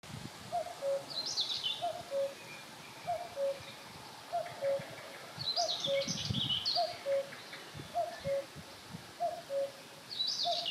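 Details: Common cuckoo (Cuculus canorus) singing at Holnis, repeating its falling two-note 'cu-coo' about once a second, steady and mellow, while a smaller songbird twitters high above and low wind rumbles.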